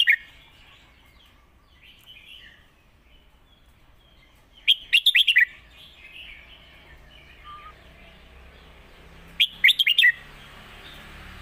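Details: Caged competition red-whiskered bulbul giving a clear master song, alternated with the lak wai style, used for teaching young birds: two bursts of rapid, bright warbled phrases of five or six notes about five seconds apart, soft twittering between.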